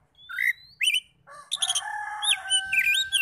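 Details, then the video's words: Oriental magpie-robin singing in a lure recording meant to excite other magpie-robins into replying: a long rising thin whistle, looping slurred notes, then a dense stretch of overlapping sustained tones, chirps and twisting whistled phrases. "PANCINGAN NAIKAN EMOSI KACER 100% IKUT NYAUT NGEPLONG"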